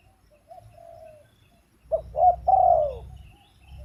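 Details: Spotted dove starting with a faint, soft drawn-out coo, then a louder three-part phrase of a quick note and two coos, the final one sliding downward.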